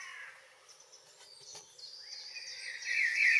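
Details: June evening in Northwest Zealand, Denmark, with a common blackbird: quiet, hissy start with faint high notes, then a louder warbled phrase rising and ending in bright fluted notes.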